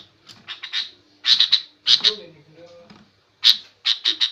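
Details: Noisy female sooty-headed bulbul calling to stir other birds into aggressive replies: clusters of two or three harsh, buzzy squawks about every second, with faint low murmuring between bursts.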